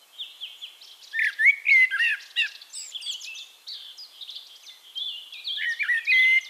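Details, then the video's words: Eurasian blackbird singing in Castricum, the Netherlands: mellow fluted warbling phrases swooping around a middle pitch, breaking into high squeaky twitters, with fainter high chirping from other birds behind. "One Hour Relaxing Birdsong: Blackbird"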